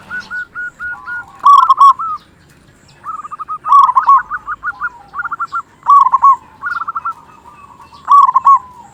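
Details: Local zebra dove with a big voice, a lure to excite quiet or stressed zebra doves into song. Soft level piping notes lead into rolling, undulating cooing phrases, repeated several times, with overlapping softer callers in the background.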